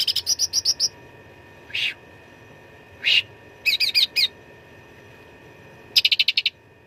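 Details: Grey-bellied bulbul, cucak ranting, giving a fighting song rich in fill, recorded for training contest birds: rapid high stuttering notes, two separate harsh squeaks, a chattering cluster, then a fast buzzy run.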